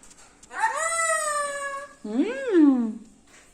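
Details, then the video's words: Parrot talking after coming into a kitchen: a drawn-out, steady, richly harmonic meow-like note lasting about a second and a half, then a shorter voiced call that rises and falls in an arch. A faint high hiss runs throughout. "parrot talking കിച്ചണിൽ വന്നിരിന്നു സംസാരിക്കണത് കേൾക്കു ഞെട്ടും"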